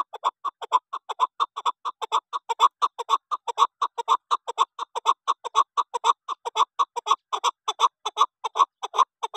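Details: Female chukar partridge, a local hunting bird, giving rapid short clucking notes about twice a second, evenly repeated throughout, with no other sounds.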